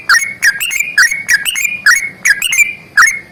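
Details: Sooty-headed bulbul giving an energetic fighting song with long rapid trills. Loud, liquid whistled notes in quick pairs and triplets, each with a crisp upward slide, delivered almost without pause.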